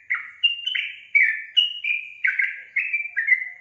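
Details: Sooty-headed bulbul (trucukan) singing gacor, an unbroken chain of about eight bright, bubbly whistled notes that step up and down, clean and loud.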